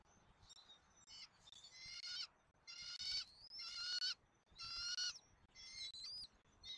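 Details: Nest camera in Southwest Florida, 13 January 2024, records a bald eagle eaglet during a dinner feeding: rhythmic, shrill, harmonic squeals about once a second, mixed with slurred high whistles between the calls.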